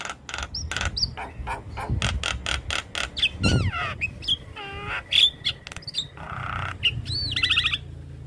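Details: Young black-winged starling singing a full, varied song packed with imitated elements: rapid runs of sharp chirps, then rising and falling whistles, buzzy squawks and a trilled burst near the end.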